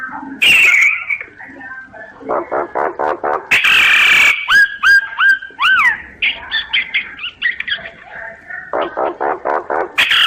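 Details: A common myna's song recorded on a phone app mixes rasping bursts, quick pulsed chatter and three clear down-slurred whistles in a row, followed by more rapid clicking notes and a harsh hissy ending.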